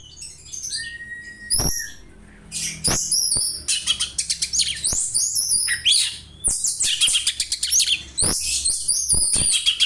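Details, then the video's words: Oriental magpie-robin delivering a house sparrow imitation for tutoring; a lone clear whistle, then increasingly busy, loud chirps and squeaky twitters in rapid runs, punctuated by sharp clicks. "Kacer nembak burung gereja , cocok bwat masteran"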